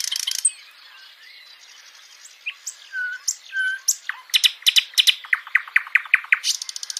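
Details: Live nightingale song mixing soft low whistles and squeaky notes, then building into a loud rhythmic series of about a dozen sharp repeated notes ending in a dense buzzy trill.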